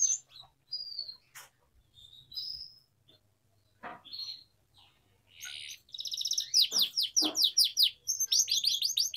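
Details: Atlantic canary song used to train young canaries: sparse short whistles and clicks at first, then a loud, fast series of falling chirps and buzzy trills in the final three seconds.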